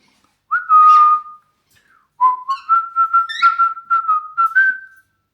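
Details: Cockatiel whistling clear, steady tones: one long held note, a pause, then a run of short repeated notes that step slightly upward in pitch, with breathy bursts at each note's start. No other sounds.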